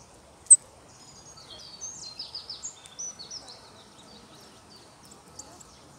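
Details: European robin in spring at Longton Park, Stoke on Trent, United Kingdom, recorded on a mobile phone on April 9 2022: faint, thin, high warbled phrases that rise and fall in quick, varied bursts, with a sharp click near the start.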